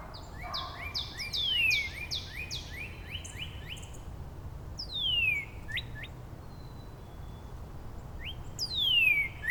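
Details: Northern Cardinal conversation between neighbours in Angrignon Park on March 19, at least three song varieties; a fast run of higher then lower upward-sliding whistles, followed by long loud down-slurred whistles answered by short upslides.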